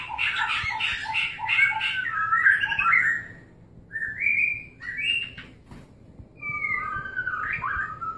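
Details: Mating white-rumped shama pouring out a rich, fast warble of whistled notes, followed after short gaps by separate rising and sliding whistled phrases.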